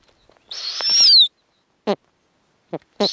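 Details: Snowy owl at an Arctic nest where five eggs are hatching and the female feeds small owlets: one high, thin, wavering whistle that slides downward near its end, followed by three short dropping chirps.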